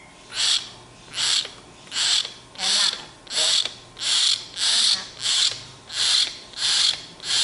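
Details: Young tame common hill myna, sulking and wanting to eat bread, gives harsh, hissing rasps in a steady run, about ten bursts less than a second apart, with a faint low hum behind.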